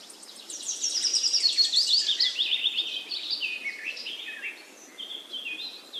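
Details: Birds chirping: dense, high, rapid twittering notes, loudest in the first two seconds, then sliding downward phrases and scattered thin whistles, with a faint steady background hiss.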